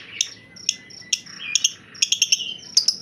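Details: Caged white-rumped shama giving a grumbling call instead of its usual song: sharp high chips and short whistled notes, irregularly spaced, with a brief low-pitched wavering phrase partway through and a faint low hum behind.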